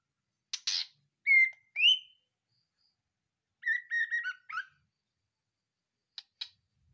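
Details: White-rumped shama, a prize-winning caged bird said to sing freely right after leaving the breeding cage: short bursts of clear whistled notes and buzzy trills, separated by pauses, with a few faint clicks near the end.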